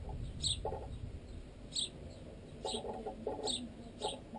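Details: Sparrows, adults and juveniles still being fed by parents, at a piece of baguette in a tent guy line: bright high chirps every second or so, with dull pecking knocks unnaturally loud through the tent pole.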